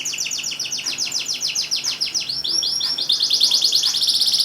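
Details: Canary singing to spur silent canaries into song: a long series of rapid, high, falling chirps repeated about three times a second, merging into a dense fast trill, with a light background hiss.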